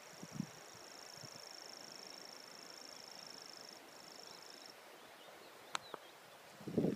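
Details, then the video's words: A Common Grasshopper Warbler reels a high, dry, insect-like trill that runs unbroken for nearly five seconds, with a few low thumps and a click nearby. "Sound of a Grasshopper Warbler"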